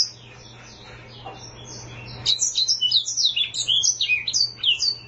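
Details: Black-throated canary, a small brownish finch from Africa, starts with faint soft notes. It then bursts into a fast, continuous run of sharp, high, down-slurred chirps and trills that shift between higher and lower pitches, over a low steady hum.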